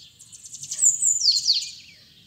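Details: Bananaquit, known locally as sibite, singing its 'trica ferro' style song rendered as 'pitxiu pitxiu': a very high, thin buzzy trill of rapid ticking notes swelling into sharp descending slurred whistles, fading after two seconds, with a faint low background hum.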